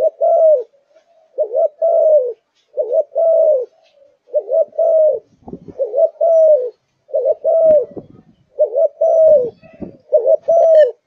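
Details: Zebra dove kept by a bird keeper, singing energetically from morning till night, delivering eight or so soft warbling coo phrases in regular succession with faint clicks and knocks between them.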